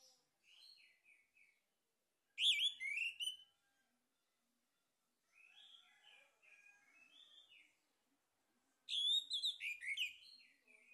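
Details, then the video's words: Lure recording of a male orange-headed thrush singing to provoke other birds. Two loud, dense bursts of sweeping whistles and trills stand apart, separated by gaps and softer scratchy warbled phrases. "PANCINGAN ANIS MERAH JANTAN PALING POPULER"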